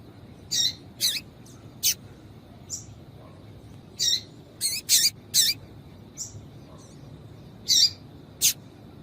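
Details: Female double-collared seedeater calls, used by breeders to excite and fire up males for seedeater tournaments; about a dozen short, sharp, high chirps at irregular intervals, some in quick pairs, over a quiet, steady background.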